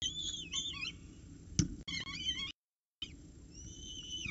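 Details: Peregrine falcons at the Orange CSU nest on a morning in October 2019, the female feeding chicks after the male's breakfast delivery. Continuous wavering high-pitched squeals, one sharp knock, then a drawn-out thin whine.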